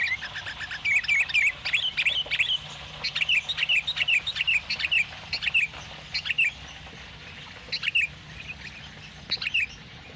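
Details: Caged sooty-headed bulbul singing in the morning: bright, rapid chirping phrases of quick up-and-down whistled notes, repeated in bursts throughout, with a low steady hum underneath.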